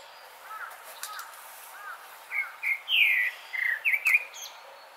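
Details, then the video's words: Grey-backed thrush, a summer visitor, sings a pretty song: soft, low looping whistles, then a quick run of louder, higher warbled and trilled phrases, each under half a second. "되지빠귀 노래소리 예뻐요"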